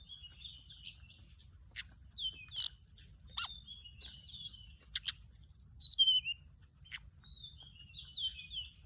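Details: Lure recording of a flycatcher pouring out rapid high twittering phrases: thin whistles that dip and rise, a fast stuttering trill, and descending slurred notes, repeated in bursts with short pauses.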